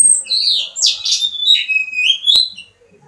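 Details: Mexican house finch kept as a pet, ready for mating, singing a fast warbled phrase of high slurred notes that sweep up and down, ending in a rising whistle, with a sharp click near the end.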